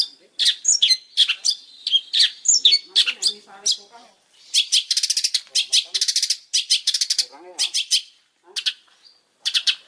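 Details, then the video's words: A very vocal long-tailed shrike delivers a busy song of mixed chirps, rasping buzzy bursts and quick chattering series, with brief pauses between phrases. "Suara burung pentet super gacor"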